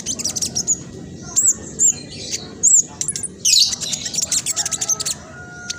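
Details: Black sunbird singing rapidly to encourage other caged birds: high thin whistled notes about every half second, then a burst of dense scratchy chatter and fast ticking notes.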